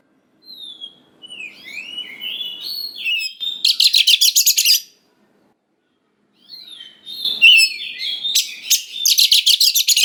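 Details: Wild young white-rumped shama singing to provoke a reply: descending whistled notes sliding into twittering phrases, then a rapid harsh rattle of repeated buzzy strokes, a pause, and the same whistles and rattle returning.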